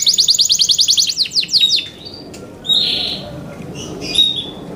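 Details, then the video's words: Yorkshire canary kept for singing competition: a fast high rattle and several descending whistled notes, then a pause, a burst of buzzy sound and scattered short chirps over faint hiss. "YORKSHIRE CANARIES COMPLETE SOUND MATERIAL SUITABLE FOR VOTING COMPETITION"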